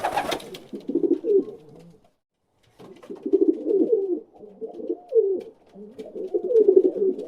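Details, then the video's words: A pigeon gives low, throaty, rolling coos in bursts of one to two seconds, with short pauses; a brief knock opens the recording. "Pigeon Noise Cooing Sound Effect"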